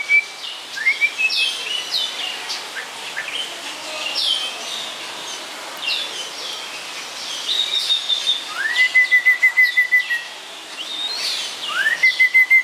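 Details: Captive snowy-crowned robin-chat at Chester Zoo singing rich, varied whistled phrases, some with a rising slur into a steady high note, mixed with quick chirps and rapid repeated notes.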